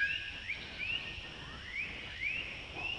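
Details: A male blue-throated blue flycatcher, recorded at Tashiding, Sikkim, India in May 2018, gives short, thin rising whistles, about two each second, over a steady high hiss of background noise.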